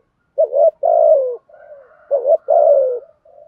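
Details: Spotted dove giving 'thúc gù' coos, recorded for luring wild doves. Two strong phrases sound, each a short upward note then a drawn-out falling coo, separated by soft low burbling.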